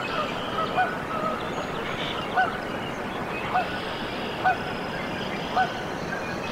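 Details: Newly hatched Canada goose goslings in a nest at Decorah, Iowa, USA, on 14 April 2024; short, soft, slightly rising peeps repeat about once a second over steady hiss, with a faint high bird trill.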